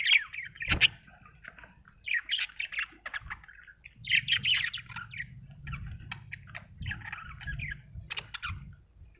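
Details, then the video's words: Budgerigar giving scattered squeaky chirps, sharp squawk-like notes and short chattering runs, with soft low rumbling between them. "budgie chirping sound"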